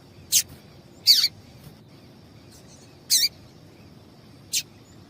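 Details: Female double-collared seedeater calling to make males sing: short high sharp chip notes, four in about five seconds, irregularly spaced, over faint background hiss.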